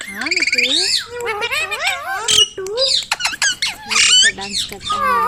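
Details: Talking ringneck parrot, a pet bird, babbling speech-like phrases with wavy tones, quick squeaks and a harsh burst, voice rising and falling almost continuously.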